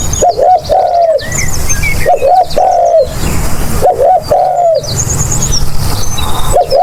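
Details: Spotted dove cooing for use as a hunting lure: low, hollow coo phrases of two to three notes repeated about every 1.5 seconds, with thin high chirps from other birds and steady background hiss.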